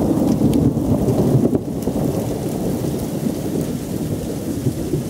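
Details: Heavy rain pours with rolling thunder rumbling underneath, and no bird or other animal is audible.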